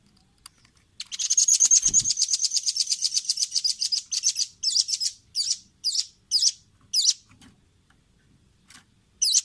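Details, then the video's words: Velvet-fronted nuthatch, a clear training recording for caged songbirds: a long, rapid, steady trill of high chip notes that slows into spaced, rising-falling notes with gaps after about four seconds. "Masteran Ampuh burung rambatan paruh merah/masteran audio rambatan jernih mudah di tiru"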